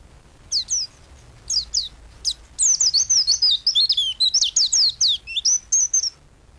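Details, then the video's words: White-eye singing energetically, recorded as a master for training songbirds: sharp, high, downslurred chirps, sparse at first, then a fast twittering run of wavering notes packed together for about three seconds. "Burung pleci gacor untuk masteran burung"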